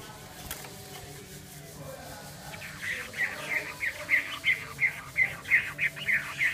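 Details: Chinese hwamei singing: after a quiet start, a run of clear, bright whistled notes repeats about three times a second, steady in pitch, over a low background hum.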